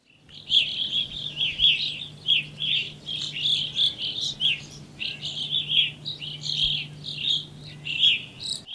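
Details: Evening grosbeak (Coccothraustes vespertinus) giving loud, shrill, burry shriek calls, overlapping in a steady stream about once or twice a second over a faint low hum. This call is given in flight, while perched and while feeding, and carries about a quarter mile.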